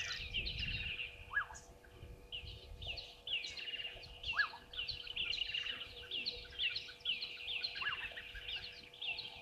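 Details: Several red-billed buffalo weavers at Gowrie dam waterhole, Djuma Game Reserve, Sabi Sand, South Africa, around 10:00 on 11/04/2023, chatter in busy, overlapping squeaky notes; a lower, falling note cuts through every three seconds or so, over a faint steady hum.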